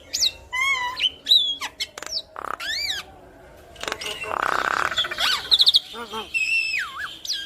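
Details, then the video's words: Black-winged myna with yellow eyes in full, lively song with head-bobbing, used to spur other mynas to sing: looping whistles rising and falling, sharp clicks, a rasping burst midway and sliding whistled phrases. "Jalak Kebo Mata Kuning Gacor Manggut Manggut Bikin Burung jalak Kebo Yang Dengar Ikut Gacor Manggut2"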